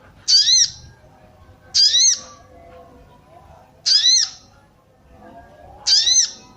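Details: Calls of a female sooty-headed bulbul meant to stir males into singing: brief bright double-toned chirps, each about half a second, given about every two seconds over a quiet background.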